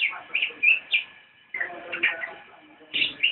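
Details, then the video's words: Javan white-eye nyinden song: quick high chirps in short clusters, a brief pause, then more rapid twittering notes. "Cicak rowo nyinden"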